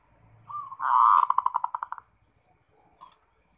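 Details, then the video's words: Zebra dove (perkutut) kept as a lively 'ngerot' singer, used as a lure to get other doves singing: a soft coo, then a loud burst of rapid staccato pulses slowing over about a second, and a faint coo afterwards. "Suara Perkutut NGEROT Bikin Birahi & Emosi"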